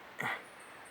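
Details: Bearded bellbird recorded on a November 2017 island birding trip gives a single loud, explosive knock lasting a fraction of a second over a quiet background hiss.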